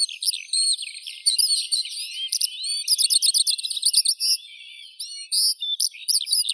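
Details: Skylark song mixing scratchy twitters with a quick burst of evenly repeated rattling notes, then drawn-out whistled phrases, the flow barely pausing.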